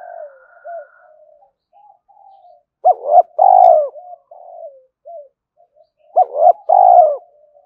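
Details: Lure call of a spotted dove, for drawing doves back. Soft, low murmuring coos lead into two loud phrases, each a clipped double coo followed by a long vibrating coo, about three seconds apart.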